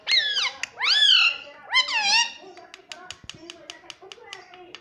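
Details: Talking pet parrot indoors, saying papa and mummy: three loud, rich, rising-and-falling voice-like utterances in quick succession, followed by a run of sharp clicks and softer low chatter.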